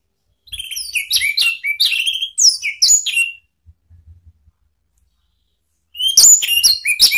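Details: Orange-headed thrush sounding off to provoke rival birds: a rapid run of varied sharp whistled and chirping notes, rising and falling sweeps repeated for three seconds, a pause with faint clicks, then another quick burst.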